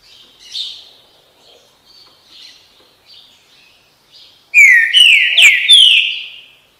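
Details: Faint, scattered chirps lead into a sudden, loud Green-winged saltator phrase of the "bom dia seu chico" style: four bright, rising, slurred whistles packed into about one and a half seconds.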